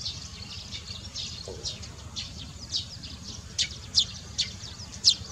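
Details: Barn swallows at Baisha Wangshan give sharp, high chirping notes: faint scattered twitters, then four louder clipped chirps near the end, about one every half second, over a steady low rumble of background noise.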